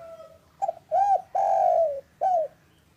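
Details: Spotted dove of local stock, recorded in the afternoon for luring doves into calling. After a faint note, a stuttered call leads into an arched coo, a long gently falling coo and a final arched coo.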